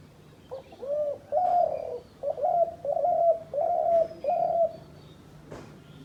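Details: Hunters' decoy dove giving a run of about six low, mellow coos in quick succession after a softer opening note. A faint click is heard near the end.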